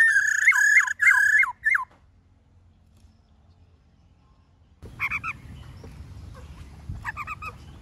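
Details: Wild-style 'forest voice' song of a black-throated laughingthrush: a quick burst of bright, hooked whistles, then silence, and later fainter whistled phrases over a low background rumble.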